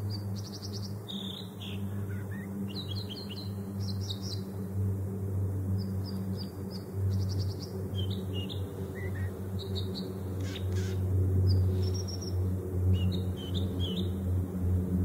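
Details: Long bout of American dipper song, a lively mix of trilled bursts, repeated chips, buzzy notes and whistled slurs in irregular phrases, with a continuous low droning rumble underneath.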